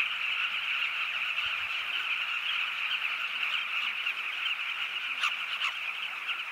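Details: A large number of southern carmine bee-eaters at their breeding colony on the Zambezi River make a dense, unbroken chatter of many overlapping mid-pitched calls, with a couple of brief sharp clicks near the end.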